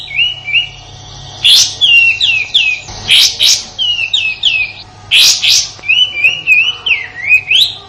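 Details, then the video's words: Sooty-headed bulbul singing, kept as master song for white-rumped shama training in Indonesia: clear whistled phrases of quick falling notes broken by harsh rasping bursts, repeated about every two seconds. "Suara tembakan kasar kapas tembak untuk masteran murai batu dan burung kicau lainya"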